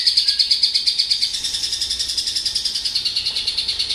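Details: Male Javan bush lark singing actively: a fast, steady run of high, bright pulsed notes, about three per second, forming an unbroken chattering stream with no other clear sounds.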